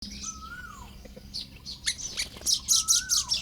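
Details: Baya weavers building nests on the morning of 1 May 2026 in Lop Buri, Thailand: clusters of sharp, high, scratchy chirps near the end, with two clear slurred whistles falling in pitch from another bird earlier.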